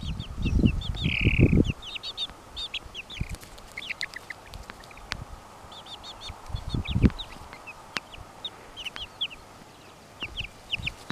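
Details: Brahma chicks, 26 days old, peeping as a group: many short, high, downward-sliding cheeps repeated rapidly throughout, with low thumping and handling-like knocks near the start and around the middle.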